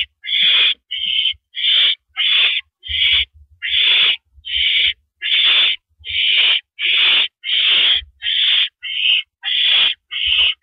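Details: Evening owl on a porch perch, April 9, 2012, 8:17 PM: about sixteen breathy, grating screeches delivered at a brisk, fairly even pace, each under a second long.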